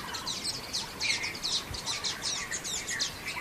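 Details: Common waxbills in Xinyuan Township, recorded 3 June 2024: a steady stream of thin, high chirps from several birds, short notes overlapping in quick succession over soft background noise.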